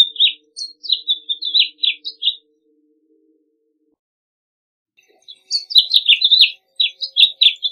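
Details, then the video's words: Male house finch sings two bright, jumbled warbling phrases of quick high notes, each about two seconds long, separated by a pause of quiet. "House Finch Song!"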